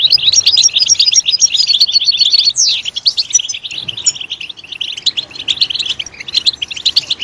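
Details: A European goldfinch delivers loud song used to coax goldfinches to chirp: rapid high chips, a sweeping buzzy note near two and a half seconds, then steady twittering that softens.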